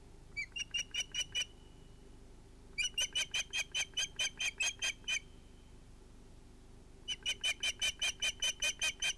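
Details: Ospreys at a nest in the evening at sunset, 11 August 2018, during a fish delivery. Two ringed chicks are present. Bursts of sharp, piping whistled notes repeat about two and a half times per second, with pauses between series, over a faint low hum.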